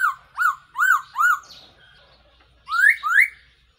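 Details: Black-throated laughingthrush, a decoy call for trapping: three rising-falling whistled notes in quick succession, a pause, then two sharply upslurred whistles.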